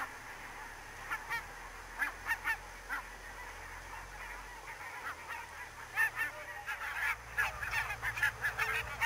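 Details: Barnacle geese in fog at Niittylahti, Savonlinna, Finland, on 2 October 2011 keep up a flock chorus of short, yapping honks from many birds, in quick clusters growing busier toward the end, over a low steady rumble.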